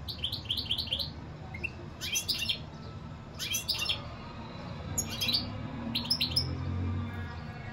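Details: Several short goldfinch-like twittering bursts, each under a second, spaced by pauses, with a quiet low rumble of background noise throughout.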